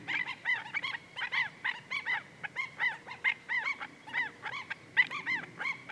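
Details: Black-necked Stilt at Goldwater Lake, Prescott, Arizona, on a May 14, 2017 morning, filmed on a Canon VIXIA HF R600 camcorder: loud, sharp, harsh yipping notes in rapid, steady succession, about three per second, each with ringing overtones.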